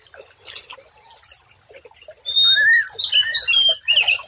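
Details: White-rumped shama tutoring song meant to calm stressed birds that stopped singing: a quiet start, then a loud rush of high, clear, sweeping whistles and rapid twittering notes filling the second half.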